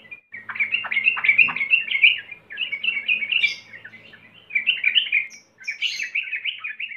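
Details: Sooty-headed bulbul lure song for stimulating singing: continuous lively chattering and slurred notes, with some sharp downward strokes early, in several loud bubbly passages split by brief gaps.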